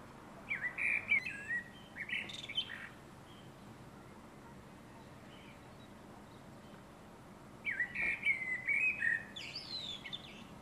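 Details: Common blackbird singing: two separate warbled phrases, one at the start and one near the end, each a run of fluty notes that climbs into a higher twittering finish, with a quiet pause between them and little background noise.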